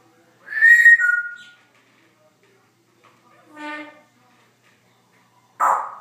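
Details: Pet Congo African grey parrot making noises: a clear whistle falling in two steps, a buzzy, voice-like note a few seconds later, then an abrupt harsh squawk.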